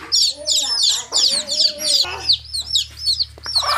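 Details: Chicks peeping in a lively cluster, with shrill, slurred high notes tumbling over each other in the first half, then clearer, spaced downward-curving peeps. A softer, lower tone runs beneath the early calls.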